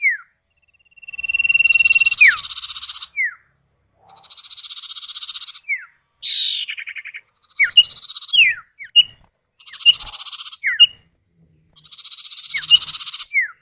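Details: Common iora (sirtu or cipow), male and female calling back and forth, used as a lure to prompt other birds to sing: buzzy rattling trills over one second long alternate with sharp descending whistled notes, repeated steadily.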